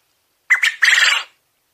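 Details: A domestic Coturnix quail crows once: two clipped, harsh syllables lead into a sustained raspy, slightly pulsing note, ending abruptly against silence.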